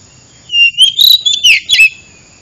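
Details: Oriental magpie-robin lure sound used for trapping: a short run of clear, high whistled notes, some sliding up and others dipping, with a faint steady high tone behind them.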